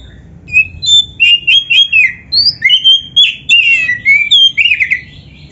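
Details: Oriental magpie-robin singing hard with packed filler phrases: a continuous stream of whistled notes, quick upslurs and buzzy trills with hardly a pause.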